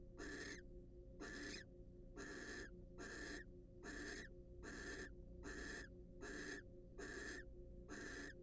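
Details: Barn owls, wild, sharing a preening and courtship moment inside a nest box: ten breathy, noisy screech-hisses spaced evenly about 0.8 seconds apart, with a faint mechanical hum throughout.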